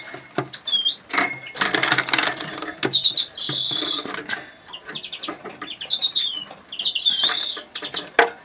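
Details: Phone recording of a male Siberian goldfinch: high chirps and twittering notes mixed with harsh buzzy bursts and short trilled phrases, plus some clicking and rustling in the background.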